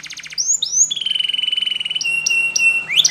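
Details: A canary, in a Spanish Timbrado training song, sings a quick burst of high notes, then a long rolling trill on one pitch, followed by sharp metallic chips and a rising slur.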